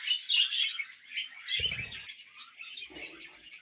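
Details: Budgerigar chirps and squeaky twitters, loudest at the start and then softening, with a couple of dull low thuds partway through.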